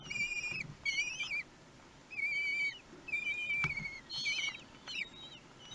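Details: Common kestrel chicks aged one week, fed at their nest in Théding, France, on 31 May 2020: bursts of high, thin whistled squeals with wavering, overlapping notes, separated by short pauses, and a few clicks.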